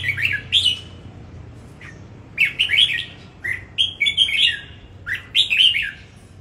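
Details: Red-whiskered bulbul CB S15 from Dong Nai, Vietnam, in singing competition: lively chirping and whistled phrases in quick bursts, some sharp squeaky accents, separated by gaps of about a second, with a faint low hum beneath.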